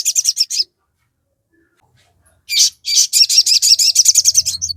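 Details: Crested jay in vigorous song to excite other birds: a short run of rapid shrill notes, a pause, then a long fast chattering series of high repeated chirps over a faint low hum.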